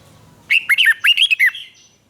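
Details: A Thai caged red-whiskered bulbul gives a single short, lively phrase of liquid, swooping whistled notes, southern master style, meant to spur other caged birds to sing and to teach young birds.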